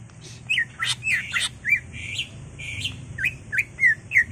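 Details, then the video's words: Greater green leafbird, kept caged and singing excitedly with a full repertoire of mimicked phrases, played to provoke other caged birds into song; short whistled and chattering phrases near mid-high pitch, some sweeping down, with varied buzzy notes between. "CUCAK IJO GACOR EMOSI BONGKAR ISIAN NGENTROK/ PANCINGAN CUCAK IJO BIAR EMOSI"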